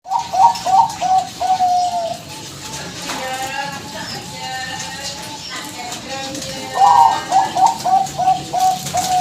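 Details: Zebra dove call, used as a lure to provoke a reply: rhythmic series of clear cooing notes, a bubbling run of repeated coos at the start and again near the end, with a softer stretch between and background hum.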